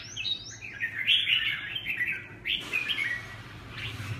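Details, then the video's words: Red-whiskered bulbul singing in the Huế xoè song style: bright, warbled, slurred whistles of varying pitch in quick phrases, with a short pause before a second burst of chattering notes, over a low steady background hum. "Huế xoè -Kênh về chim Chào mào"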